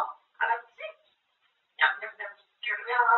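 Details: Indoor pet grey parrot chattering about food in human-like words: two quick phrases, a pause, then a denser, louder stretch of rasping speech sounds.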